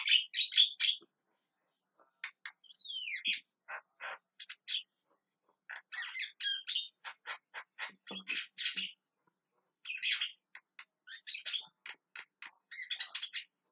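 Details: Loud, screaming calls of a Javan myna, a long string of rasping, clipped chirps and squawks in bursts of several notes with short pauses between them.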